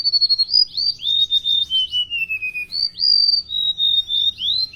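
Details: Golden-bellied gerygone, a mangrove and coastal estuary bird of Indonesia, singing gacor: high thin whistled notes, a rapid series of quick rising-falling slurs sliding gradually downward, then drawn-out pure whistles and renewed fast slurred phrases.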